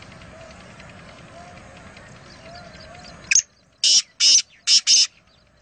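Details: Black francolin at Nawabshah. Steady background noise gives way to a sharp note, then four loud, harsh, high-pitched notes delivered quickly.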